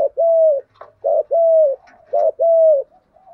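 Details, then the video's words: Caged spotted dove used as a decoy to lure wild doves, cooing thúc gù: three soft two-note coos about one per second, a brief grace note followed by a smooth, held, gently falling tone. "chim cu mồi thúc gù bài bản nhất hiện nay, chim cu gáy kích bổi hiệu quả nhất hiện nay"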